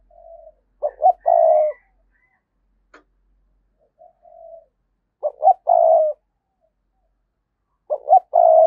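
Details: Decoy spotted dove in 2022 giving lure calls ('thúc' and 'gáy gọi'). Three cooing phrases about every three and a half seconds: two short clipped notes, then a long, steady, purring coo. Quiet pauses between phrases.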